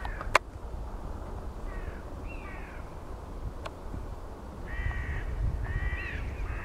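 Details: Eurasian bittern in Zuid-Holland, Netherlands, 29 December 2010, gives hoarse, crow-like barking calls, about five in six seconds, some doubled, over a steady low rumble and a sharp knock near the start.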